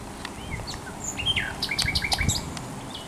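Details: Spring song of a thrush nightingale by the Żerań Canal, 24 April 2022, a quick jumble of clicks, short slurred whistles and sharp dry notes packed into about three seconds against low background rumble.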